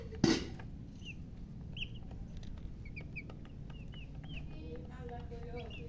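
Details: Just born baby chicks chirping: scattered thin, high peeps with a quick falling curve, softer and more spaced out, after a sharp knock at the start, over steady low hum.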